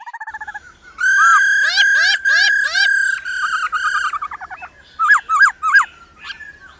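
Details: A female laughingthrush calls 'ro ro' to stimulate males: soft doubled whistles, then loud sustained throbbing notes with dropping slurs, ending in a series of sharp looping chirps.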